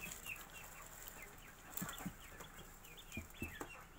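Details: A group of day-old Magpie ducklings calls in quick, high, slurred peeps repeated every fraction of a second, mixed with a few low thumps and a background hum.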